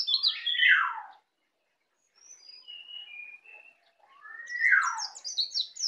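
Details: Pet white-eye native to Bali, newly learning ngeplong song. A loud falling slurred phrase, a pause, soft thin whistles, then another downward slur followed by quick high chattering twitters.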